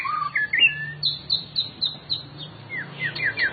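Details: White-rumped shama kept in a private collection: loud, clear whistled notes, first varied slurs, then a quick series of high, sharp whistles repeated about three times a second, over a faint low hum.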